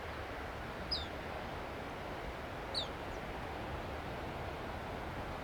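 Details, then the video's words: At Asilomar Dunes, California, a Black phoebe perched on arroyo willow calls twice, each a crisp, high, falling chip about two seconds apart, against a broad, steady roar of background noise. "The Sound of Black phoebe"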